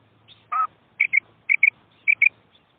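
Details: Female quail calling, meant for hunting: one lower, harsher rasping note, followed by three crisp double chirps spaced about half a second apart.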